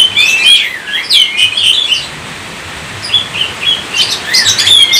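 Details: Oriental magpie-robin singing rapid slurred whistles, falling silent for about a second, then resuming with shorter whistled phrases and a bright closing flourish.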